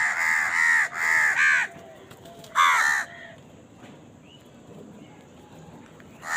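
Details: A crow at a meal, with birds fighting for food: three loud, grating caws close together, then one more, a quiet stretch and a final caw at the end.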